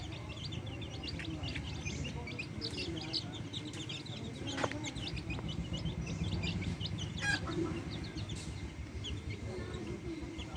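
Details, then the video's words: Backyard hens kept with chicks; a dense chorus of rapid high chick peeps runs throughout, with occasional louder chirps and a low rumbling background. "Adorable backyard hens with chicks making adorable sounds!"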